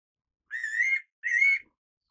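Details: Single two-note call of a fairy pitta: a drawn-out whistle, then a second, slightly higher-ending whistle after a short pause. The background is quiet.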